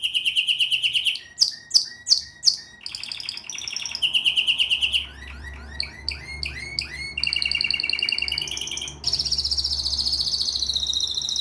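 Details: Long varied canary song mixing rapid high trills, sharp separated sweeping notes, clusters of quick rising chirps and a bright closing rolling trill.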